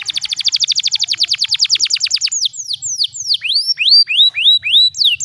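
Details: Canary song used as a tutor for young canaries, a fast, even trill of about twenty high notes breaking into loud, sweeping whistled slurs that rise and fall.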